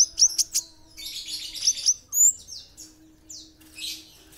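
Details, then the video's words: An Olive-backed sunbird sings in a lively master song: thin, very high chips and quick sweeping twitters in uneven bursts, over a faint low steady hum. "kolibri ninja gacor"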